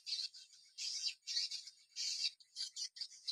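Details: Swiftlets in Kalimantan responding this season: high, buzzy chirping twitters in dense bursts of about half a second, repeated with short gaps, about six bursts, with no other clear sounds.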